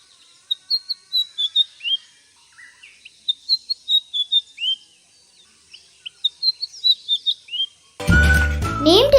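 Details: White-browed Fantail (Rhipidura aureola), Sri Lanka, giving bright, high whistled notes in quick phrases of six to eight, rising and falling; music and a voice break in at the end.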